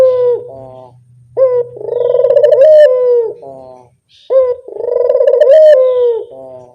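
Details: Lure call of a spotted dove, two phrases each made of a short introductory note then a long vibrating coo that dips into a brief closing note, a faint low hum early on.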